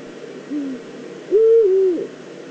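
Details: Eurasian eagle-owl, probably female, calling at the nest scrape in the Eifel, Germany, on 22 September 2014. A soft short low note is followed by a loud, long hoarse call that stays level, then dips and wavers before ending.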